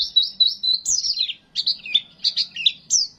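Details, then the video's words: Oriental white-eye used as a masteran training recording: rapid high twittering phrases, sliding and warbled, in quick bursts of short chirps with brief pauses. "MASTERAN DAN PANCINGAN PLECI TERLARANG"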